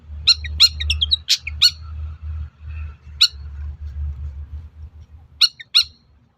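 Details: Sparse, sharp, scratchy notes from a long-tailed shrike. The song is played as a lure to make rival shrikes respond, with short clusters separated by pauses over a steady low background hum.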